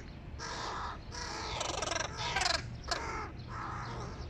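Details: Hooded crows, a family with giant young at breakfast: loud, hoarse begging cries follow one another closely. Some calls overlap, and there are short scratchy bursts in between.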